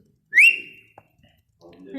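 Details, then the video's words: A talking ringneck parakeet lets out one sharp rising whistle that levels off and fades over half a second, followed by silence and then faint room noise and a voice. "talking ringneck parrot"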